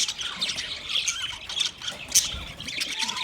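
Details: A group of budgies keeps up a continuous high twittering with scattered sharp squawks and clicks, including one louder squeak partway through.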